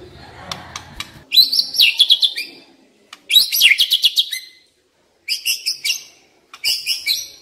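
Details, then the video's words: Decoy white-rumped shama giving high, rapid trilled bursts in short, separate runs with pauses, and faint low noise at the start. "Chòe lửa mồi hót cực hay"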